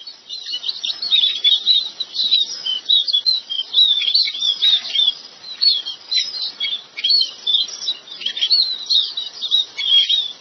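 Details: Chestnut munias in a rice field: a dense, continuous chatter of thin, high chirps and tweets overlapping in quick bursts, with no pause over ten seconds and no other clear sounds.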